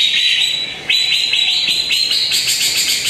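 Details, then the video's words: Greater green leafbird singing in a lure recording meant to make a rarely singing bird start: a steady high whistled tone breaks into rapid stuttering chirps and climbing trills that continue to the end. "PANCINGAN CUCAK IJO ANDA YANG JARANG BUNYI"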